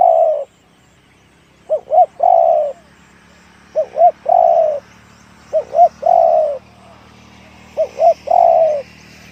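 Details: Spotted dove repeating its 'one-kook big voice' coo phrase four times, about every two seconds. Each phrase is two quick looping notes followed by a longer, full, falling coo, against a quiet background.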